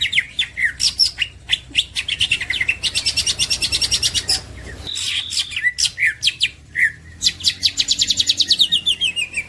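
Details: Champion green leafbird in masteran song: staccato chirps give way to an extended high pulsing trill, a slurred whistle, then more sharp notes and a rapid shimmering rattle to the end.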